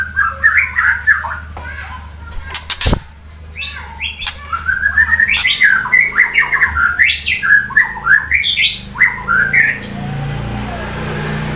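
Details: Rapid, varied song of a fighter white-rumped shama from Central Java, Indonesia, meant to rile rival birds: chattering notes and short whistles pour out continuously, with a sharp knock early on and steady low hum.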